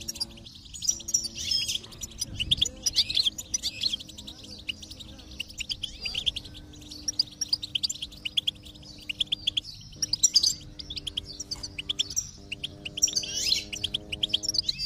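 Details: Goldfinch, apparently a caged bird played stimulation to prompt singing: a fast, continuous run of bright, liquid twitters and tinkling trills, high-pitched and unbroken, over soft sustained musical tones.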